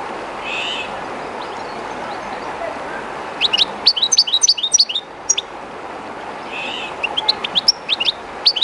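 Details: A somewhat timid captive European goldfinch at the edge of the Jerte River is quiet at first over flowing water. Around midway it breaks into a brisk series of high, sharp twitters, then resumes with another short twittering phrase.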